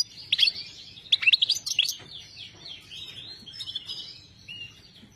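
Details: Goldfinch, locally saira, giving a few loud sharp chirps in a cluster, then a quieter flowing twitter of slurred, wavering whistled notes fading toward the end.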